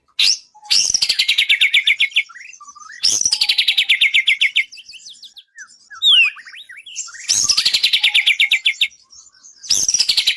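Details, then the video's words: White-rumped shama song for training contest birds: repeated phrases opening with a high note, then a fast descending series of rattling notes, separated by softer twittering and whistled fragments, phrases recurring about every three to four seconds. "Masteran burung murai bikin juara 1"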